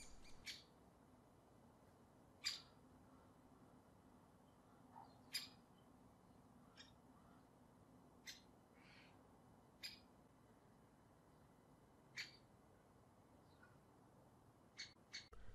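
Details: A Great Spotted Woodpecker, a garden bird, gives its hard, short 'kick' contact call, single sharp notes repeated every one to two seconds against a quiet background.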